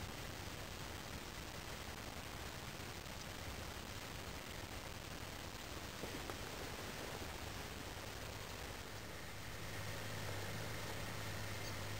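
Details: Steady broadband hiss like wind or distant traffic, with a low rumble toward the end and no animal calls.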